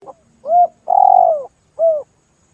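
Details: Spotted dove lure call used by hunters to attract doves closer, heard as mellow low coos: a short note, a long purring coo falling off at the end, and a closing shorter coo over a faint hum.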